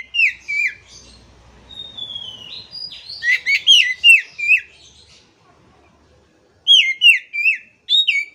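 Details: Oriental magpie-robin (kacer) singing to revive a bird that has stopped singing: descending whistled slurs, a long gliding note, a busy run of sharp chips, a quiet gap, then loud falling whistles repeated in quick succession.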